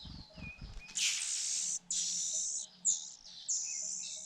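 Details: Begging Fujian niltava nestlings fed by their mother: a few soft low thumps and a thin whistle, then loud, hissing, high begging in long blocks broken by short gaps.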